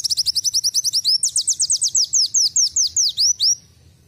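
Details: Canary-imitating song of a kolibri wulung (black sunbird): a rapid, even string of high rising whistled notes, about five per second, that shifts to longer, louder upslurred notes midway and then stops abruptly.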